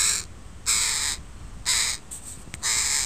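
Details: In a park, a crow family with young birds that walk close to the recordist: four strong, grating caws about once a second, each roughly half a second long, with a brief tap between.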